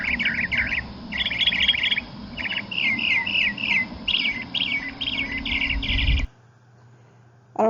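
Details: Northern Mockingbird singing bright, varied chirping phrases, each repeated about three times before switching to a new one, over a low background hum, with a brief voice at the end.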